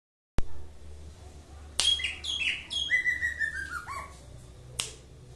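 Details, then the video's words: Greater green leafbird (cucak ijo) from Aceh, in frenzied song: a sharp snap, then a cascading series of about eight whistled notes stepping steadily downward in pitch, with a low hum and another snap near the end. "Kicau Cucak ijo 1/2 Mabok"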